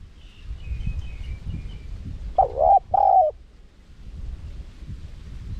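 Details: Spotted dove, 'karom pa' wild cadence in a small voice, meant to attract wild doves. Two mellow, slightly wavering coos close together mid-clip, with faint high twittering early on and steady low background noise.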